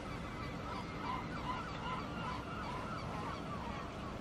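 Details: Seagulls calling on a lake: a busy flock giving repeated harsh, mewing calls roughly every half second, overlapping one another, over a steady low rumble of wind and water.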